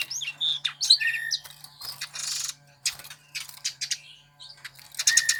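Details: Sparrow popular with songbird keepers, mixing rapid chattering trills, buzzy notes and chirps, over a steady low hum.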